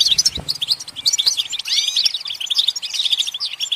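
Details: Goldfinch singing a continuous tumbling twitter of high, tinkling notes mixed with short rising slurred whistles, delivered without pause. A single low knock sounds early on. Used as a recording to encourage goldfinches to sing.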